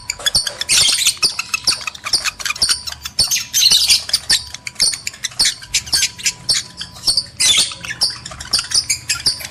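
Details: Lovebirds, male and female, heard in a call used to spur mating: dense harsh squawks and shrill chatter in irregular bursts, several birds overlapping, with sharp clicks throughout.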